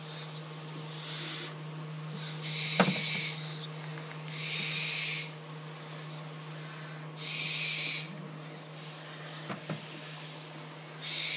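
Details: Captive tropical screech owl chick begging for food, hand-reared from the egg: harsh breathy hissing bursts about a second long, repeated every one to two seconds over a steady low electrical hum, with a few soft clicks.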